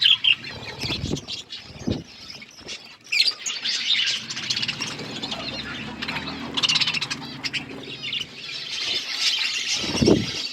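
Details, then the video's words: Budgerigars chirping: a dense, continuous chatter of high, scratchy chirps and warbles throughout, with brief louder bursts and a few low soft thumps near the start and end. "Budgies relaxing sounds Birds chirping sounds"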